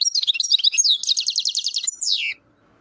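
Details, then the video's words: Goldfinch in Chouala, Mendes district, Relizane province, Algeria, singing a dense, fast phrase: mixed twittering notes lead into a rapid buzzy trill, ending with a descending high note, then silence. "تغريد حسون غليزان الشوالة"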